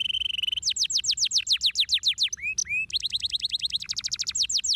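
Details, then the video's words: Canary singing loud and close. A rapid high trill leads into repeated fast downslurred notes, a few short rising whistles, then more rolling trill phrases. "o canário deve ser o som"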